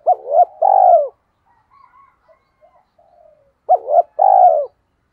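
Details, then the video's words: Spotted dove kept as a decoy, calling to lure others: a quick double note runs into a long pulsed, falling coo, then a pause of soft faint notes, and the same phrase repeats about three seconds later. "Chim Cu Mồi/ cu gay kich boi nhanh noi thúc gáy gọi"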